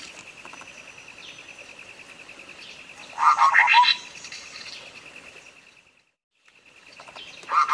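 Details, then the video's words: Sooty-headed bulbul song for stimulating a silent bird: after a stretch of steady pulsing buzz, one burst of bright bubbling notes rising and tumbling, then a brief hush before the buzz returns. "masteran cak kopi suara jernih untuk pancingan macet bunyi"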